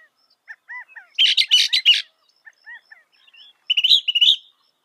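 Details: Northern mockingbird song with varied phrases: soft whistled slurred notes repeated several times, a loud dense burst of rapid harsh chirps, then a sharp trilled phrase at the end.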